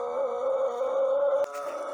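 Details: Sustained middle part of a morning crow from a young Indonesian Pelung cockerel a month into learning: a steady, level, droning tone with a brief click near the end.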